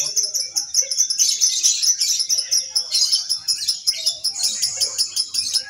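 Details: Lovebird at an Indonesian single-fighter practice songbird contest. Dense, fast, high chattering trills run continuously, pulsing roughly once a second, with faint background voices.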